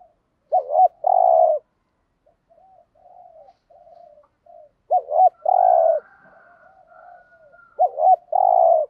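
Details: Spotted dove used as a decoy bird, with a native-type voice, giving the urging 'thúc gù' coo: three low phrases, each a quick double note then a longer hoarse coo, with soft murmurs between.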